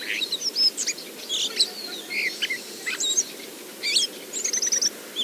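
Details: A common blackbird mutters its quiet "ventriloquial" subsong, given before full song, in a Moscow park in March: a steady run of soft, scratchy, high squeaks and twitters in about a dozen brief phrases with short gaps, over faint hiss.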